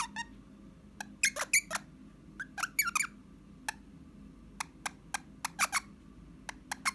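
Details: Indoor pet Eastern rosella, 29 January 2021, whistling and chattering: loud bursts of sharp rising and falling whistled notes in clusters, with short pauses between groups, over faint room hum.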